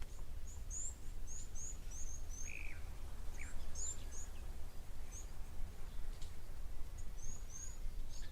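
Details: Blue waxbills (Uraeginthus angolensis) very close to the camera in thickets at an African waterhole on 24 April 2024. They give thin, very high-pitched notes in loose bursts over a steady low rumble, plus a couple of lower notes from another bird.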